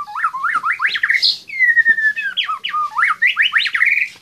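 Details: White-rumped shama, a caged contest bird kept on a diet of crickets and bathed weekly, from Magelang, Indonesia, singing a rich varied song of rapid rising whistled phrases, a long sliding whistle near the middle, then more quick rising notes.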